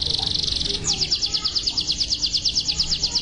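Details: A male yellow canary opens with a fast, buzzy high trill, then switches to bright repeated chirps, about six or seven each second, with a faint background hum.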